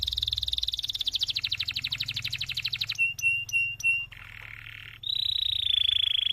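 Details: Canary singing continuously, used as a model song to stimulate other canaries: a fast pulsed trill sliding slightly lower, then four sharp separate chipped whistles, a flat raspy buzz, and finally a high, tight, ringing trill.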